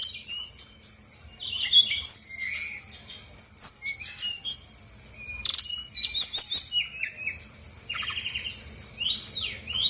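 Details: Brown-chested jungle flycatcher, a lively singer used as a lure to rouse lazy birds into singing: varied high whistled phrases, rising and falling slurs and quick chirps in dense bursts, with brief pauses.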